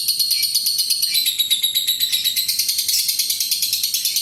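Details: Lovebird in a long 'ngekek' trill, used to lure other lovebirds into singing: a steady, rapid, buzzy rattle of high notes at several pitches, pulsing evenly throughout with no pauses.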